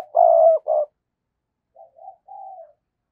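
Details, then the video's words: Spotted dove kept as a lure, calling 'thúc' and 'gáy gọi' to stimulate wild doves: a loud, long purring coo and a shorter one, followed after a pause by three soft, quieter coo notes. "tiếng cu gáy - Chim Cu Mồi Thúc Và Gáy Gọi"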